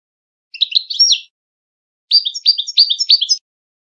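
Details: A European goldfinch sings a Widani-style phrase, used to train young goldfinches and hybrids for singing contests: a short jumbled burst, then a rhythmic series of paired, bright chirps.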